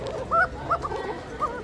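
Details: Domestic pigeons in a loft in Bangladesh, calling because they are frightened by a light shone on them: short arched cooing notes at irregular intervals, three main bursts, with low background hum.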